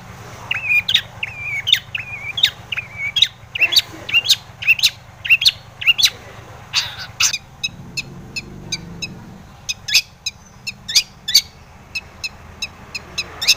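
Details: Long-tailed shrike lure song for drawing replies from other shrikes: warbling, wavering whistled phrases first, then a fast series of sharp clicking notes.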